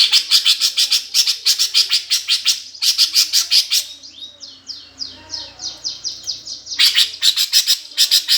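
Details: Greater green leafbird giving a 'gereja tarung' fighting song, used as a lure to provoke competition birds: fast runs of high, sharp repeated chirps, about three a second, broken by a brief passage of quick sliding whistled notes.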